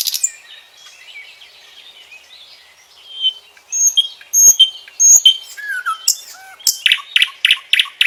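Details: Common nightingale singing a varied, high phrase: soft warbling, then sharp whistled notes and a fast, rhythmic series of loud repeated chirps near the end.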